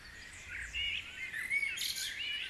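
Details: Brief stretch of dawn chorus at Guisborough: mixed birdsong of whistles and short chirps, with a brighter high burst of twittering near the end over light ambient noise.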